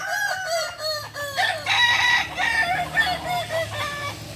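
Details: Balenggek rooster at a crowing contest in Ampang Kualo, Kota Solok, giving a long stepped crow: a chain of short tonal syllables, each jumping up or down in pitch, about three per second, with a loud, harsh middle section.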